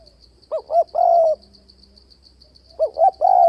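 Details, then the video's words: Spotted dove coo used to provoke a decoy for dove trapping: two short rising notes leading into a long level coo, then the pattern restarts, over a constant high pulsing buzz. "Tiếng cu gáy kích bổi bẫy đấu ,//tiếng chim cu gáy đảo giọng kèm bo liên tục"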